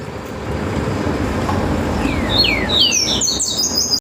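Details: Great saltator warming up before a contest, giving a quick run of descending whistles that turns into rapid high notes, with constant vehicle noise underneath.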